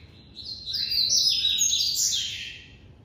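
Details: White-collared seedeater in captivity singing the classic song: one sustained, loud phrase of dense, high, buzzy twittering notes that rise and fall, swelling in the middle and fading at the end.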